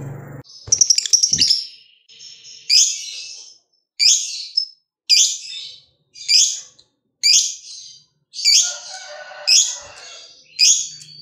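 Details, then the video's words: Lovebird of the fighter type, its long chattering ngekek song used to set other lovebirds singing: a rapid metallic trill at the start, then harsh, buzzy high bursts repeated roughly once a second. "BANYAK LOVEBIRD LANGSUNG BUNYI SETELAH DENGAR SUARANYA, PANCINGAN LB Fighter BIKIN CEPAT BUNYI"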